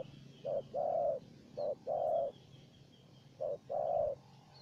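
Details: Spotted dove calling back to a decoy bird: three pairs of a short coo followed by a longer coo, fairly distant over a hissy, humming background.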